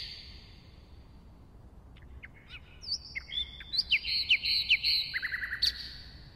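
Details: After near silence, a common nightingale builds a phrase of scattered clicks into looping whistled notes and bright repeated warbles, ending with a quick buzzy trill over a held tone.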